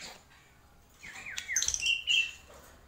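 A black-winged myna gives a brief loud burst of song: clear whistled notes mixed with harsh, scratchy chatter, rising and falling over about a second. The room is otherwise quiet.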